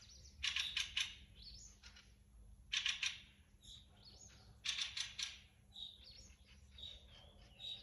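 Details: Thrushes singing in a forest: bursts of rapid, repeated sharp notes alternating with short whistled phrases, in loud clusters every couple of seconds and softer warbles between them. A faint steady hum sits underneath.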